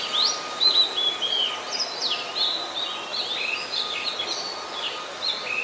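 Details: Oriental magpie-robin song, Ubon Ratchathani, Thailand, 26 December 2020: quick varied whistles, upward and downward slurs and warbles running without a break, a low steady hum behind.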